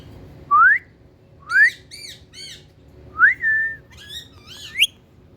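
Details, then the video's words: Indian talking parrot whistling: clean upward-sliding notes, a short burst of three quick chirps, a rising whistle that levels off into a held tone, then wavering squeaky notes. The room is otherwise quiet. "Indian Talking Parrots"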